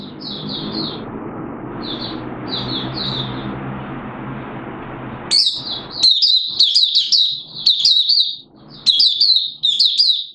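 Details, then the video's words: Malaysian Oriental white-eye kept as a songbird in Singapore, recorded 29 March 2023 in warm, humid weather with sudden showers: soft high twitters over a steady background hiss, then louder, rapid bursts of bright chirping notes. "Malaysian Mata Puteh Buka Sing"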